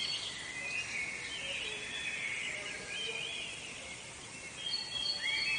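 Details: Several birds chirp and twitter together in the woods in a thin, high, overlapping chorus, with a brighter burst of chirps near the end over a steady hiss.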